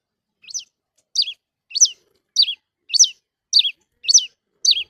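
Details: Red-cowled cardinal singing eight crisp whistled notes, each rising briefly and then tumbling down, spaced about every 0.6 seconds against silence.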